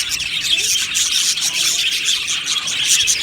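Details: Budgerigar colony in an aviary giving a short burst of happy, thick chatter, with scratchy overlapping chirps and squeaky notes running without pause.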